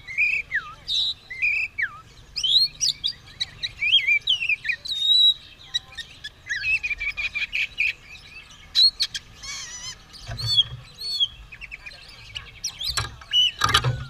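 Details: Long energetic singing from an Oriental magpie-robin ready to fight with its tail spread: varied whistles, slurred notes and fast chattering trills, with occasional low bumps in the background.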